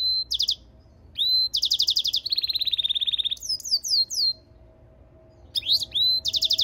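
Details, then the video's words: European goldfinch × canary mule in song: clipped whistles lead into fast pulsed trills, a lower sustained buzz and twittering chirps. After a brief gap it returns with rising notes. "European Goldfinch mule singing - Jilguero Mixto"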